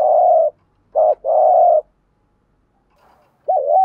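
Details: Spotted dove calling in a 'thúc gù' and 'gáy gọi' style: mid-pitched, smooth, level coos of about half a second each, one split into a quick double note, with short pauses between them and a quiet background.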